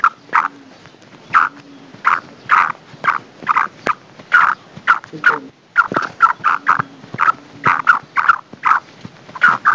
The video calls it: Kala teeter Madi / Black francolin female